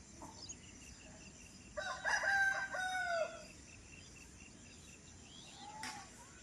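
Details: In a village in the early morning, a bird gives one loud, drawn-out crowing phrase of about a second and a half, with faint chirps before and after over a steady hiss.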